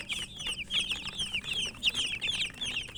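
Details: Chicken chicks eating and calling, loud clear cheeps about one per second stand out among quicker overlapping peeps, each sliding down in pitch, with soft pecking clicks beneath.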